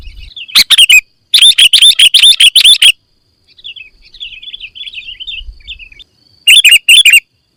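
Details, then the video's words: Sooty-headed bulbul song: full song played to get birds singing. Bursts of loud, bubbly chirping phrases alternate with softer, rapid twittering notes, with brief pauses between bursts. "Suara Kutilang Full Isian - Biar Makin GACOR"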